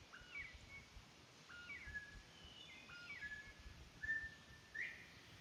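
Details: Captive Northern bobwhite quail, raised in an old house, give clear two-part whistles: a short low note, then a higher slurred one. The whistles repeat roughly every one and a half seconds over a faint background hiss.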